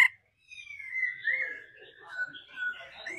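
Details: A laughingthrush, with a female stimulating the singing: soft, continuous whistled warbling with long slurred notes and fluttering twitters, and no loud harsh calls.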